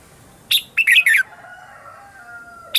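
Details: Red-whiskered bulbul morning song used to lure wild birds: one short burst of quick rich whistled notes, followed by a thin sustained tone fading away.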